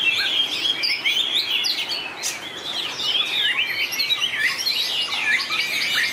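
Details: White-rumped shama sings in competition with long, varied phrasing: continuous, tumbling whistles and quick slurred notes, broken by a brief sharp click, then rising into a crowded, bright flourish.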